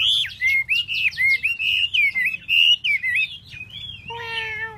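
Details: Chinese hwamei, a tail-fanning, dancing bird, delivering a fast run of bright, looping whistles and slurred notes, ending with a softer steady tonal sound underneath.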